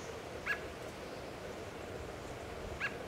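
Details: An adult American robin feeding in Kingston, WA gives two short, mid-pitched chirps about two seconds apart over a steady background hiss.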